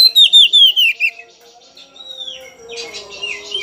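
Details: Oriental magpie-robin, described as agitated and seeking a rival, giving a quick run of about five falling, slurred whistles, then sweeter rising and falling phrases, with a faint low steady hum behind.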